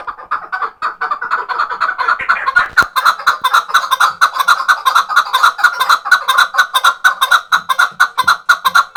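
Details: Leg-tethered chukar partridge kept for hunting, from Khoja Mumin salt mountain. It gives loud, harsh chuck notes in a fast, even rhythm of roughly two per second that builds steadily through the whole stretch. The background is quiet.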